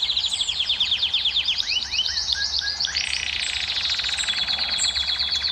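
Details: Song of a canary, sung to excite females and prompt mating: quick descending high sweeps, then slurred notes, shifting after three seconds into a fast buzzy rattle.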